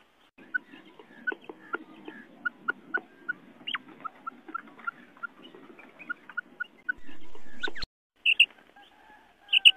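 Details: Female quail sound used as a lure to catch male quail: a run of short, sharp chirps, irregular and about one a second. A loud buzzing burst cuts in briefly, and a few high whistles follow.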